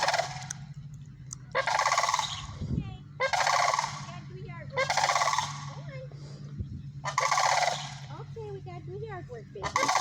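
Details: Sandhill cranes calling repeatedly, five loud rolling rattles roughly every one and a half seconds, with softer chirping notes in the gaps between them.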